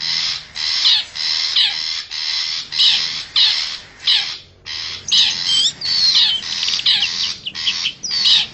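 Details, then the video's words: Forest long-tailed shrike lure sound for wild birds: grating bursts repeated roughly every half second, with whistled, squealing and sliding notes woven through the later part. "suara pikat burung cendet hutan"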